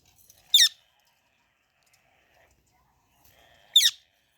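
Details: Baby parrot chirping: two brief, sharp, high descending chirps about three seconds apart, with near silence between them.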